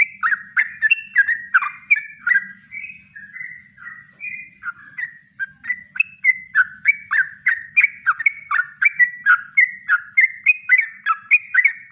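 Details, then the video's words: Natural kongslet song of a yellow-vented bulbul (trucuk) used as training master: rapid chattering, bubbling phrases of mid-pitched notes, with brief smoother whistled stretches, pouring on without a break over a faint low hum. "Masteran Trucuk Kongslet Alami"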